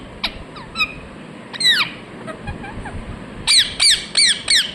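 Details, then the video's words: Scattered soft chirps and one loud falling screech from a ringneck parrot, then a closing sequence of four loud, evenly spaced downslurred calls. "Ringneck parrot Chirping sounds"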